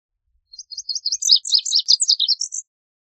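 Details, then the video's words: A Lazuli Bunting sings a quick, high, scratchy jumble of paired notes lasting about two seconds, sweet and buzzy, ending on a higher note. "Lazuli Bunting Song! Lazuli Bunting Call! Sound!"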